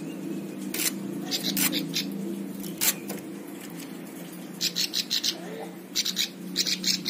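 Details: Plain prinia (ciblek sawah) song used as a tutor recording for training other songbirds: scattered sharp high chirps early, then a run of quick repeated buzzy high notes near the end, over a steady low hum and faint background noise.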